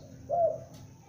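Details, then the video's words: Single clear coo from a young spotted dove used for luring, a short hollow note that bends downward at the end, in quiet surroundings. "Tekukur Pikat gacor anakan Berbunyi Memanggil"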